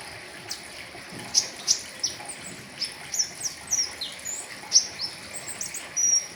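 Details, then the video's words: Flowerpecker song meant as a tutoring recording, 'riwikan' full-filler style: sharp high ticks and brief descending whistled notes in an uneven stream, ending in a short rattling burst, soft hiss behind. "Terapi pentis raja riwikan full isian , cocok buat masteran"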